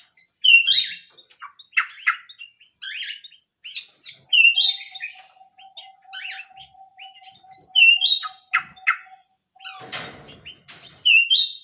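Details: Canary singing vigorously with repeated rising whistled phrases and sharp chirps in a steady stream, a faint continuous tone behind, and a brief clattering noise near the end.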